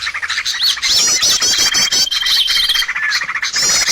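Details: Lure sound for trapping birds: a busy mix of shrill squawks and chirps, with sharp rising-and-falling whistled notes repeated several times and a steady thin tone over a continuous chattering background.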